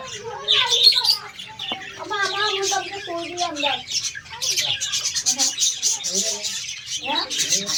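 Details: Parrot colony of Australian parrots: harsh squawks mixed with slurred, wavering warbles and high chirps from several birds calling at once, steady throughout.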